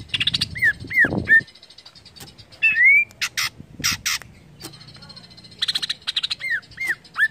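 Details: Greater green leafbird singing to stimulate other leafbirds: down-slurred whistled notes, a rising whistle, harsh buzzy bursts and rapid rattling series, with a brief low rumbling noise early on.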